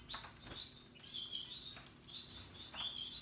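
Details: Russian yellow and Timbrado canaries singing happily among other birds: loud, bright chirped notes in quick pairs, high and slightly down-slurred, repeated several times with short pauses.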